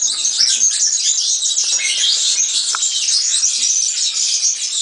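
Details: Continuous fizzy, high-pitched jangling from a European serin, a dense tinkling warble that keeps an even loudness throughout.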